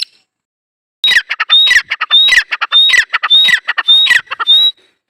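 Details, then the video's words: After a second of quiet, a dakhni teetar partridge bursts into a loud, rhythmic call of scratchy squawking notes, each group capped by a sharp high whistle, repeating about every half second. "Teetar colling | dakhni teetar Awaz | Teetar partridge sound"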